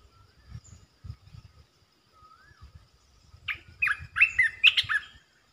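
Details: Red-eyed bulbul, resident territory holder, calls in a fast, warbling chatter of clustered notes near the end. A faint soft whistle and low rumbling come before it.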